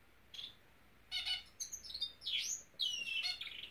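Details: Norwich canary uttering separate soft chirps and short twitters, with one clear drawn-out whistle, against faint room hiss.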